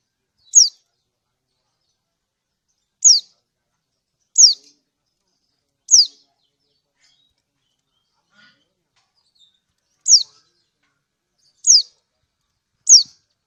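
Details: Lombok kecial kuning, a lemon-bellied white-eye female calling for a male: seven thin, high 'ciak' calls, each a quick downward sweep, spaced unevenly over several seconds, the background otherwise quiet.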